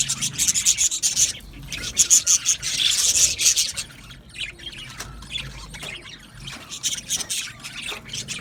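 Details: Budgerigars in an aviary colony, rapid high scratchy chirping and squawks in loud bursts, easing into quieter chatter.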